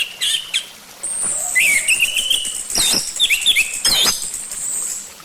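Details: Orange-headed thrush song played as a lure to make the bird sing: a long thin high whistle, then varied rich whistled phrases with rising and falling notes and sharp chips, mixed with harsh scratchy notes.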